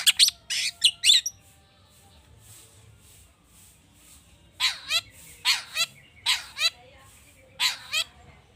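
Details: Long-tailed shrike in agitated, richly mimicked song meant to coax other birds to sing: an opening burst of harsh chatter, a quiet gap, then four evenly spaced downward-sweeping squawks.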